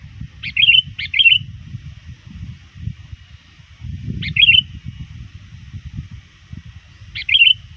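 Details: Calling to rivals near dusk, a trained sooty-headed bulbul gives four short bubbly whistled phrases: a pair first, then single phrases spaced about three seconds apart, with soft low rumbling behind.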